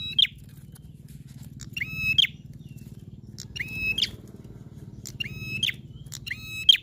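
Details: Prinia singing in a lively, full style that sets other prinias singing: sharp chirped notes with a bright, ringing quality, each a quick rising flick, given in bursts about every two seconds over a low steady hum.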